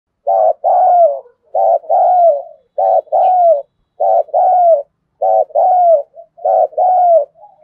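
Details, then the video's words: Captive spotted dove kept as a decoy bird, singing a full repertoire of song styles known locally as thúc, gù and gáy gọi. Paired coos sound again and again: a short clipped note, then a longer descending one, about every 1.2 seconds. The background is quiet. "Chim Cu Mồi với giọng gáy đủ bài như : Thúc + Gù + gáy Gọi"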